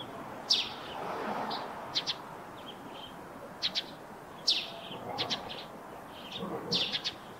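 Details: Eurasian tree sparrow by its rooftop nest, chirping in quick doubled and tripled notes, high and clipped, separated by short gaps, against steady outdoor hiss.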